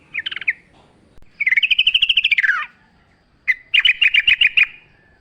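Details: ['Actively singing yellow-vented bulbul, wild forest style, nature sounds, used as a lure. A short phrase, then a long rapid chattering trill lasting over a second, then a burst of seven quick sharp notes.']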